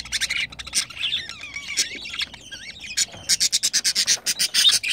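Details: Two pet budgerigars mating: squeaky chatter with gliding whistled notes, then a rapid train of about fifteen dry clicking pulses near the end.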